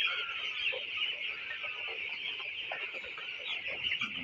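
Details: Winter-reared broiler chicks on a farm give a steady, shrill flock chorus of overlapping high peeps that runs unbroken, with a few faint lower clucks mixed in.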